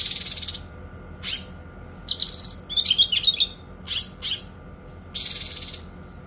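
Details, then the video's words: Kinoi giving clear, long song phrases as training material for songbirds: high pulsed trills, a scratchy jumbled twittering passage, and a few loud slurred notes, ending with another sustained trill. "TEMBAKAN PANJANG, SUARA JERNIH BURUNG KINOI"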